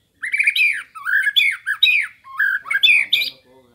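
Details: White-rumped shama singing on a training master recording, in harsher squawky phrases: loud, buzzy, rising-and-falling notes strung together without pause, ending in a fading rattle.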